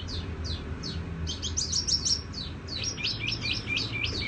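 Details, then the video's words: Tiểu mi songbird singing high, down-slurred notes. A brief burst of bright piercing whistles follows, then quick chirps, over steady low background noise. "Chim tiểu mi hót tiếng vang dịu"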